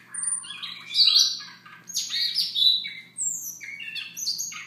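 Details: Soft morning song of a Siberian rubythroat, a dense tumbling stream of harsh, squeaky and whistled notes with rising and falling slurs, over a faint low background hum.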